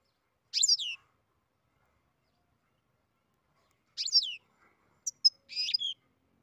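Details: European goldfinch bred in captivity in beginning song: two separate high, slurred, falling notes, followed by quick sharp chips and a brief buzzy trill.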